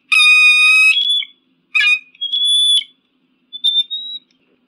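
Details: Eagle calls: one long, harsh, piercing scream, then a shorter rasping cry and a couple of thinner, steadier whistled screeches that fade out.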